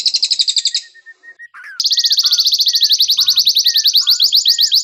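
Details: Canary song used to train white-rumped shamas: a short high trill, a pause with soft short whistles, then a long even rapid trill over lower, scattered whistled notes.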